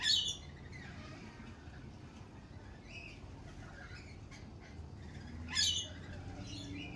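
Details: At a lorikeet cafe in spring, a harsh shrill screech sounds at the start and another near the end, with faint scratchy chatter from other birds in between over low background noise.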